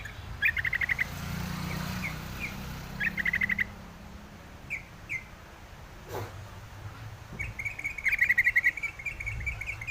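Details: Wild yellow-vented bulbul calling: several bursts of fast, bubbly chirps with single sharp notes between them. One loud click-like knock midway, with low rumbling noise behind.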